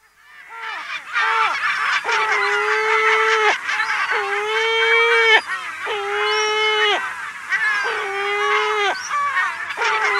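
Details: Lesser black-backed gulls in a colony on Walney Island, Cumbria, UK, giving long, drawn-out, plaintive mew calls, each over a second and repeated about every two seconds, with other gulls calling behind.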